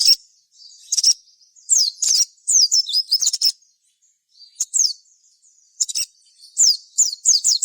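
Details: Gacor sogon song for luring rival sogon to answer: repeated phrases of high, rapid down-slurred whistles and sharp chips, broken by a short silence before the chirping resumes in quick succession.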